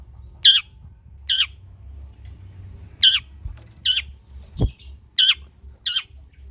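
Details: Harsh rasping squawks from a long-tailed shrike, played to stimulate idle shrikes to sing, loud and spaced irregularly about a second apart, one dull low thump midway, quiet background otherwise.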